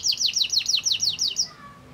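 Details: Canary song played to make other canaries sing: eight quick, high, downward-slurred whistled notes in a steady series about every fifth of a second, then quiet.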